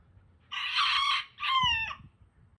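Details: Rooster crowing in two loud harsh bursts, the second with a falling slurred ending, over quiet low background noise.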